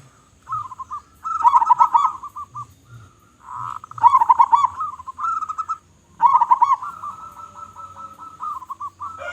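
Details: Local zebra dove, noted for a loud, big voice, giving repeated phrases of rapid bubbling coo notes that fade into longer even purring trills, with short gaps and light low background noise.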